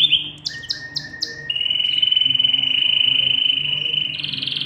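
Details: Male canary courting a female, with chicks being fed in the nest: quick rising chirps repeated at the start, then a long, steady, high whistled note held for about three seconds over a low background hum.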